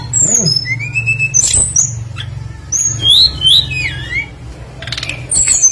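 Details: Tledekan bird in full active song, used as a lure to make other birds sing, rich in mimicked phrases: thin high whistles sliding up and down, short sweeping notes and scattered chips, over a steady low hum.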